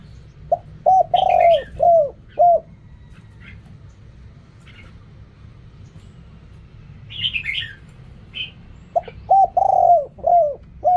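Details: Mellow repeated coos of a spotted dove, Thai 'khu kham, ok rong' style: a phrase of short notes and one long falling coo, a quiet gap with a brief chirp, then the phrase again.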